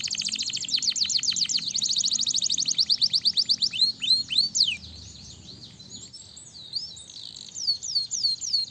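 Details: Canary song used to stimulate other canaries to sing: rapid, evenly pulsed high notes gradually slow into separate chips, followed by softer, curling whistles and a few repeated downward slurs.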